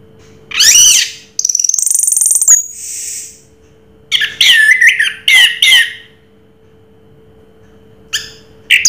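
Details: Orange-headed thrush (Anis Merah) singing in the Raja Teler style: loud, sweeping whistled phrases and a harsh buzzy burst, a pause, then bright chattering notes and short high trills, over a faint steady electrical hum.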